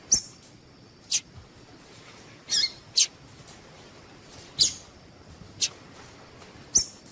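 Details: Repeated sharp, high chips from a female Double-collared seedeater, a call played to get males singing; about seven notes at uneven intervals, some slightly longer and buzzier, over quiet hiss.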